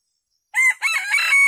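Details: Decoy red junglefowl rooster calling wild junglefowl to come and feed alongside it; a loud, strained, tonal crow begins after half a second of silence, breaks briefly, then holds a long sustained note until it is cut off.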